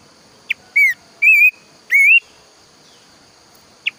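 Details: A planduk semak bird, known for loud song in the morning and toward evening, gives a short blip, then three sustained wavering whistles in quick succession, a pause, and another sharp blip.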